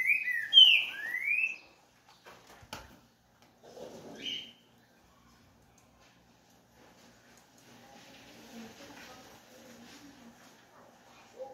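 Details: Green-winged saltator, called trinca-ferro verdadeiro: a loud burst of clear whistled notes sliding down and up, about a second long, then faint scattered sounds and soft room noise.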